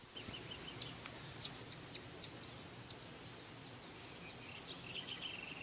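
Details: Blue-and-yellow tanager delivering a run of high, thin, piercing notes, several falling slightly in pitch, bunched in the first three seconds and then fading into softer, wavering high tones over a steady, noisy background.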